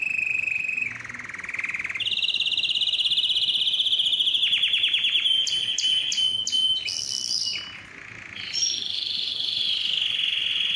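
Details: Vigorous canary song recorded for training fledglings and stimulating breeding: long buzzing rolls at changing pitches, a rapid descending run, sharp metallic clicks, then a sweeping trill rising and settling.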